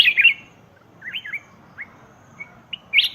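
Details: Black-crested bulbul calls played as a decoy to lure wild birds: short, slurred whistled notes rising and falling, a loud burst at the start and end with scattered single chirps between, over faint low background hum.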